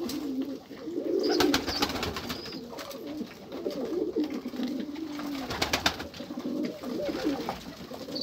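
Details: A flock of pigeons coos in low, warbling, overlapping phrases; scattered sharp clicks and a brief high chirp break through the steady murmur.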